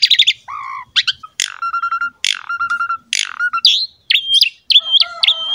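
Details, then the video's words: Master recording of Asian pied starling song meant to prompt a silent caged bird to sing: chattering notes, low fluty whistles, sharp clicks with long flat tones, ending in wavering high whistles. "CARA MENGATASI BURUNG JALAK MALAS BUNYI ~ MASTERAN BURUNG JALAK SUREN"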